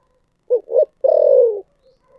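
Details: Spotted dove cooing in the 'thổ sấm' (thunder) voice style: two short, low hollow notes followed by one long, drawn-out coo that slowly falls in pitch. The phrase is given once in a quiet setting.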